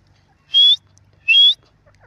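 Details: Grey francolin calling, recorded 28 March 2024: two loud, clear whistled notes, each rising slightly and about a quarter second long, spaced under a second apart over a quiet background.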